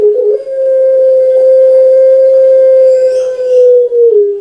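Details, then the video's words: Long-voiced puter pelung dove, a caged Javanese pet recorded for training other birds, sustaining a single flat, hollow coo for about four seconds that drops briefly at its close. "Puter Pelung Suara PANJANG"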